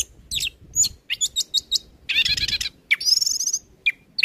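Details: Orange-headed thrush song meant to coax an untrained bird into singing: quick staccato whistles, a harsh rasping burst, a fast trilled phrase and a few sharp final notes.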